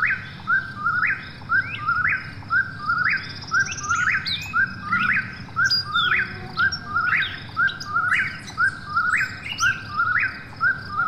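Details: Eastern whip-poor-will at night, calling steadily and loudly: a rhythmic whistled phrase ending in an upward flick, repeated about once a second for the whole stretch. A faint high insect buzz and occasional sharp chirps sound behind it.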